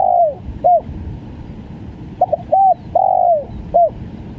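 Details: Spotted dove giving its stuttering 'gagap' call, low mellow coos in repeated phrases: stammered double note, short coo, long falling coo, short closing note, with steady faint background noise.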